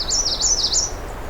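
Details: On a June afternoon on a trail of jack pine, white cedar, white spruce, birch and tamarack, a Black-throated Green Warbler sings a quick run of four high, buzzy, wavering notes in about one second, over a low background hum.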